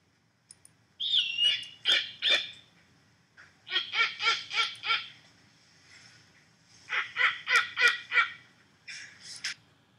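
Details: Snowy Owl, very uncommon in Wisconsin, giving harsh, barking cackles in quick bursts of four or five notes, mixed with a thin, high squealing note.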